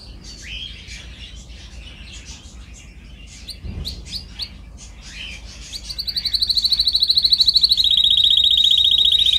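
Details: Training recording of a canary singing: quiet varied twitters and short chips build into a loud, fast, even trill, which then steps down a little in pitch and carries on steadily.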